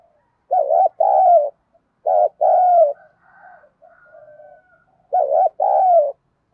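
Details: Spotted dove hen, a decoy calling to entice males, repeats three doubled coos, short wobbly note then longer falling note, with faint soft cooing murmurs in the gap between.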